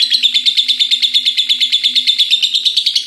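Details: Lovebird kept as a pet, ngekek chatter that runs nonstop till morning: harsh, high, rhythmic bursts about three per second, unbroken throughout, over a soft low background drone.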